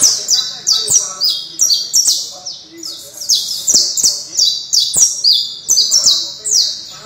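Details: A Criollo canary sings a fast, continuous stream of high, bright trills and chirps that sweep downward in quick repeated phrases, with faint clicks in the background.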